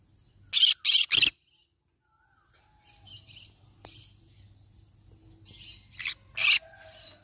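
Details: Yellow-sided conure parrot: a quick run of three loud, grating squawks opens the recording, followed by quieter scratchy chatter and then another pair of harsh screeches near the end.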